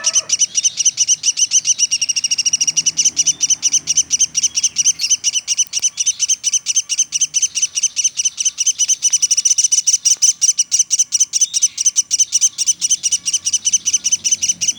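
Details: Nonstop calling from a pelatuk sampit woodpecker: a sustained, rapid rattle of high, sharp chips that runs without pause throughout.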